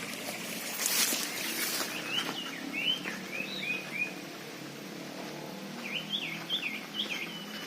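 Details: Common iora calls used as a bird lure: short, high, whistled upslurred and looping notes given in quick runs of three to five, pausing between bursts, over faint background noise.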